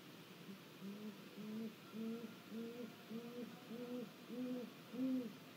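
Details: Great grey owl calling at a snag in Mission Valley, seen on a live cam on 1 April 2022: a steady series of soft, low, evenly spaced hoots, about eight in five seconds, growing slightly louder toward the end.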